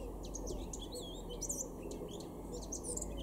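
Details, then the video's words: A male Eurasian blackcap sings in a garden in Weener, East Frisia, Germany, in April 2022, producing fast, high, twisting notes mixed with sharp upward flicks, over a continuous low background roar. "blackcap (male)"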